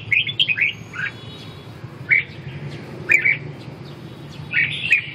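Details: Red-whiskered bulbul giving brief, bright warbled phrases and clipped whistled notes in groups of two or three, spaced roughly a second apart, over a faint low hum.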